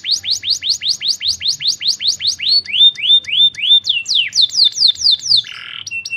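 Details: Canary singing a long song of fast repeated falling whistles that change to smoother rising-and-level notes, then quick sweeps and a short harsh buzzy note near the end.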